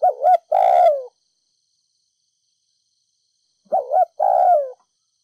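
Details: Thúc gù coo of a spotted dove from Ninh Thuận, Vietnam, in đồng pha thổ voice, used for stirring decoy doves. Two phrases separated by a long pause, each a quick double note followed by a sustained falling coo. No other sounds.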